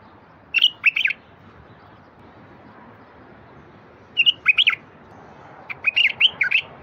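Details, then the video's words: Singing bulbul, a phrase aimed at opening up silent wild bulbuls. Three brief bursts of liquid, fluty notes, each of three to five notes, come in quick succession with short pauses. Low background hiss. "تغريد لفتح البلابل الوحشية الساكتة"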